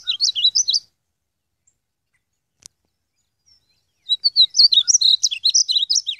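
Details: A wild European goldfinch gives bright, tinkling twitters in two quick bursts of high, fluttering notes separated by a few seconds of silence.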